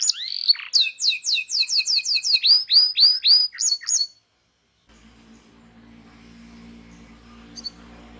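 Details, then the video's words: Local canary from a training recording sings fast repeated down-slurred whistles in a steady series for four seconds, then stops; afterwards only a low hum remains. "FULL NGEROLL | MASTEAN KENARI LOKAL GACOR | FULL ISIAN | MASTERAN BURUNG KENARI"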